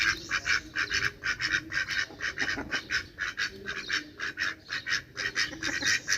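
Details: Steady, rapid quacking from ducks, rough nasal notes repeating roughly twice a second without pause, some calls stacking on one another to make a continuous chattering chorus.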